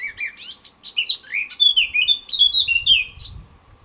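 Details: A male Eurasian blackcap sings a rich, fast warble of varied notes that ends in clear, fluting whistles, with a faint low rumble behind it.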